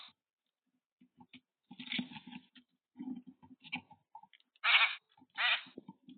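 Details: Boat-tailed grackle recorded on a bird cam, giving harsh, rasping bursts and short clicks. Two loud, broad squawks stand out near the end, separated by brief silences.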